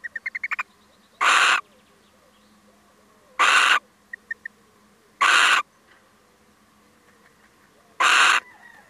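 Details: Male little owl paying a short visit gives four loud, harsh, rasping screeches, each under half a second and roughly two seconds apart. Brief quiet pips fall between them, with a rapid series of faint clicks at the start.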